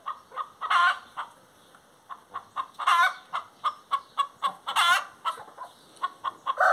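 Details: Hen singing: rapid, regular clucks broken by three loud, rising-falling harmonic squawks roughly two seconds apart, with faint background noise.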